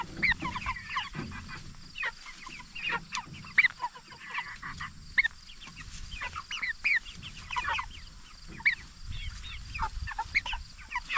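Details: Flock of 44-day-old jumbo Cornish Cross broilers kept for meat, chirping continuously in thin high peeps that come in quick clusters, over a quiet low background rumble.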